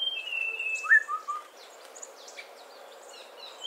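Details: Streak-breasted scimitar babbler giving one brief phrase: a clear downslurred whistle, then two lower short notes, after a thin high whistle. Soft high chirping and background hiss follow.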